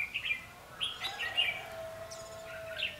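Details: Lively red-whiskered bulbul phrases recorded during decoy trapping on 14 March 2016: quick, liquid whistled notes rising and falling, several in a row over a quiet background.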